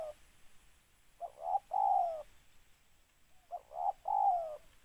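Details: Spotted dove cooing, used as a trapping lure: two phrases, each two short rising notes then a long falling coo, about two seconds apart, over a faint steady hiss.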